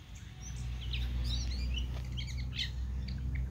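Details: Pet European goldfinch sings quick, tinkling twitters and liquid trills in a varied rambling stream over a steady low indoor hum; owner encourages it to sing and hop.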